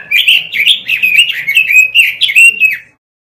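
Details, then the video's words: Robin song used as a tutor recording for training caged birds: a continuous, rapid warbling phrase of mid-high fluttering notes with slurred rising and falling turns, lasting about three seconds before ending abruptly in silence, with no other sounds. "Masteran suara burung ROBIN"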